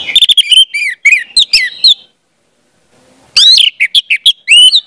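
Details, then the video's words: Orange-headed thrush song used to coax young spotted birds into singing. Two loud bursts of quick, sharp chirps and short upslurred whistles are separated by about a second of silence. "pancingan anis merah"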